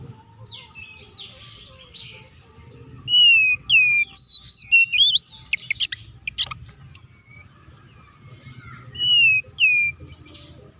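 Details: Oriental magpie-robin singing aggressively to provoke other magpie-robins: a quieter scratchy opening, then a burst of sharp whistled notes and rising slurs, a harsh click, and a final short whistled phrase over soft rumble.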